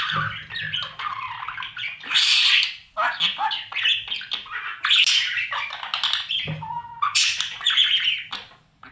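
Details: Budgerigar babies in a nest box calling as parents feed them; continuous harsh, scratchy squawks and chirps in overlapping bursts, loudest around the second and fifth seconds, with short whistled notes mixed in.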